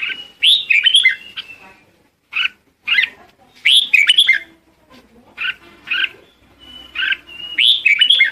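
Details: Red-whiskered bulbul calling its flock with lively, slurred whistled phrases rising and falling, delivered in separate bursts with pauses between them, and a faint steady thin tone underneath.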